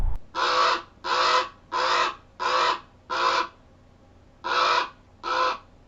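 A Common Raven gives seven harsh, rough croaks, evenly spaced about two-thirds of a second apart with a brief pause before the last two, over a quiet background.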